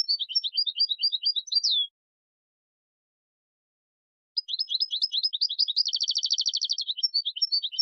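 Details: Tutor song for young goldfinches: a tinkling run of chirps with a descending slur, then silence, then a long phrase with a fast buzzing trill in the middle and scattered chirps at the close.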